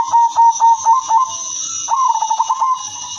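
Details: Female silver zebra dove, kept as a lure for other zebra doves, gives a series of quick pulsed cooing notes, then a smoother sustained trill, all mid-pitched, over a steady high-pitched background hum.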